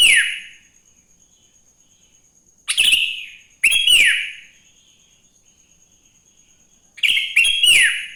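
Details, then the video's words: Sooty-headed bulbul in the morning, its song played to encourage other bulbuls to sing: bright, loud, liquid whistled phrases with clicking accents, separated by gaps of one to three seconds, ending in a rapid double burst. "Suara Burung kutilang GACOR di Pagi hari‼️ Joss Buat Pancingan Kutilang Bahan Agar Cepat Bunyi"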